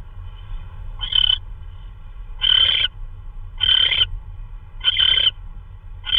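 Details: At 3:12 AM on March 16 2013, an owl brings in prey, perhaps a vole. Five rasping, noisy screech bursts come about once a second, each short and hoarse, over a steady low hum; the last is cut off.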